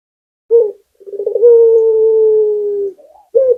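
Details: Local Barbary dove singing: a short clipped coo, then a purring rolled intro leading into a steady, level, drawn-out note of about one and a half seconds that sinks at the end, followed by another short coo.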